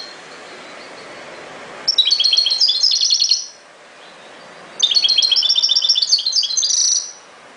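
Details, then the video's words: European goldfinch twittering in two long phrases of rapid, high, jingling notes, each lasting about two seconds and separated by a brief silence. "chant de chardonneret"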